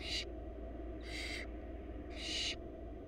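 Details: Three rasping, breathy hisses from wild barn owl chicks begging as their mother feeds them in a Florida nest box, spaced roughly a second apart, with a constant low hum underneath.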